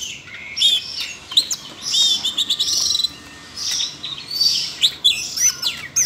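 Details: Siberian rubythroat singing after training audio for a young magpie-robin set it off. Thin high whistles, clicks and short squeaky trills come in uneven bursts with small gaps between them.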